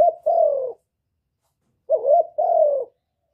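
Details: Low, mellow cooing of a spotted dove, used to stimulate birds. The end of one phrase is followed by a complete two-part coo: a wavering note, then a longer falling note. Quiet background.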